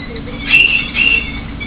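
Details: Female common kestrel kept in a cage, begging because she always wants to be fed and behaves as if she were a person: two drawn-out, high, thin whining notes, each about a quarter second, with a steady background hum.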